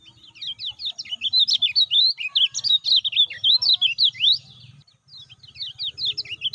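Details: Lemon-bellied white-eye, a caged bird's lure song meant to spur silent or newly kept birds into singing: rapid, high, sharply sweeping chirps in a dense run, briefly pausing near five seconds before resuming, with a faint low hum beneath.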